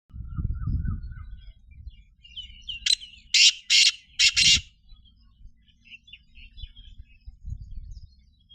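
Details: Black francolin giving a harsh, rasping call: one short note, then four loud buzzy grating notes in quick succession near the middle. Faint high chirps of other small birds come before and after, over low rumbling background noise.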